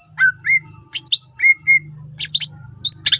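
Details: Greater green leafbird singing to prompt other leafbirds: clear level whistles repeated several times alongside harsh buzzy bursts, over a steady low hum.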